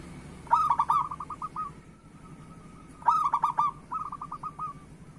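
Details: Local zebra dove song used to coax reluctant doves into singing: two bursts of rich, rolling coos with a bubbling start, each followed by a fading string of short soft notes, against a low background drone.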